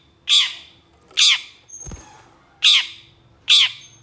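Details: Long-tailed shrike (cendet) calling harshly in a training recording, agitated by another shrike: four loud rasping squawks, each falling in pitch, with a single low thud between the second and third.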